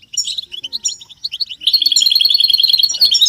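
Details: Caged-goldfinch stimulation chorus of European goldfinch mating calls: separate bright chirps at first, then a fast, steady rattle-like trill of repeated high notes for over a second.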